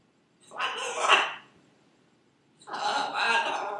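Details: Pet female Buffon's macaw repeating her own name over and over: two loud, harsh, broadband spoken-like phrases about a second long each, separated by a short quiet gap.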